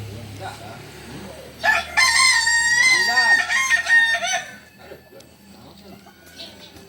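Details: Kukuak Balenggek rooster from Solok giving a long, loud, harmonic crow lasting nearly three seconds, steady in pitch then breaking into shorter wavering syllables, after a quiet start with faint background noise.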